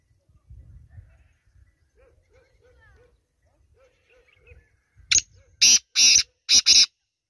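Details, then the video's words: Black francolin calling: after several seconds of faint low rumbling and soft chirps, a sudden loud series of four harsh, grating, broadband notes arrives in quick succession, the last two close together. "Black teetar |Kala Teetar ki awaz | Black partridge Voice"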